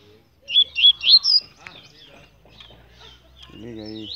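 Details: Double-collared seedeater of the fibra type, captive, giving four quick high whistled notes rising in pitch, followed by soft handling noises and a man's voice speaking Portuguese.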